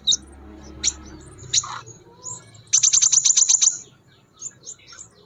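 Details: Scarlet minivet singing vigorously in the wild: a few scattered thin, very high chirps, then a rapid burst of about nine sharp, high-pitched notes packed into one second, followed by softer high twitters.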